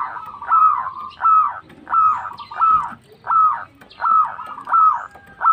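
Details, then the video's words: Zebra dove of local type, a vigorous singer calling to companions: a steady series of short cooing notes, each rising then falling, about six phrases repeated roughly every 0.7 seconds, with faint background rustle. "Suara burung Perkutut Lokal Gacor memanggil kawan"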